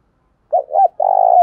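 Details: Spotted dove used as a decoy to stimulate and train other doves to coo: two short hollow notes followed by a longer, rolling, burry coo, low and mellow.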